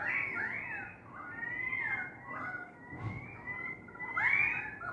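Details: An Australian magpie outside a window, among noisy magpies and currawongs, gives rich, flute-like warbling, with mellow notes sliding up and down almost without pause for five seconds, over a faint indoor hum.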